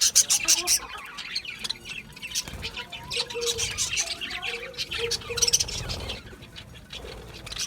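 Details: Budgerigars giving quick high chirps at the start, then a busy warbling chatter with some lower, rounder tones mixed in, before a burst of sharp squeaks near five seconds.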